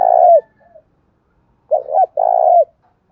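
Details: Spotted dove giving Đồng Thổ style cooing used to goad a rival male into calling: a long, husky, slightly falling coo, a brief pause, then two quick short notes and another drawn-out purring coo.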